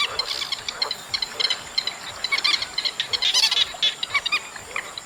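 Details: Chestnut munias in August give rapid, thin, high-pitched chips that grow busier toward the middle, a continuous twittering from several birds with a faint background hiss.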